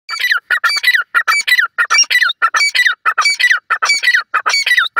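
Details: Black francolin kept at home, calling loudly: harsh, grating squawked notes in quick bursts of two or three, repeated steadily about every half second for the whole stretch, with no other sounds heard.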